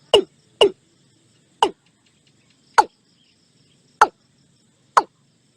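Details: Watercock calling: six sharp, dry knocking notes, each dropping quickly in pitch, spaced about one second apart with quiet gaps and faint background hum.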